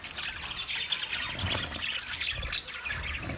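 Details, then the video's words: Budgies, Australian parrots, recorded 13 March 2024, giving softer, scattered high chirps and twittering over low rumbling background noise, with one sharper squeak near the end. "Beautiful Australian Parrot sounds Budgie Sound"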